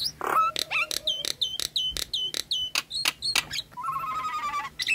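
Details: Nias hill myna song used as a lure for birds that have stopped singing, are stressed or are moulting: sharp clicking bursts alternating with short high whistled notes, ending in a wavering, trilled whistle.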